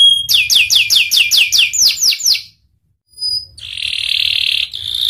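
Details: Panda canary in full song: a run of descending whistled slurs at about two per second, a brief pause, then a high thin note and a dense buzzy rolling trill held steady.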